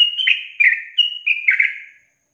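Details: Trucukan, the yellow-vented bulbul, singing a 'ropel panjang' long-trill training song: a run of fluty, bubbling whistled phrases, each slurring slightly downward, about five phrases in two seconds, then silence.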